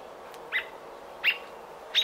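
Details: Robin around its nest on nesting day 28, June 5, 2018: three short, bright chirps spaced about 0.7 seconds apart, each a quick sharp note over a quiet background.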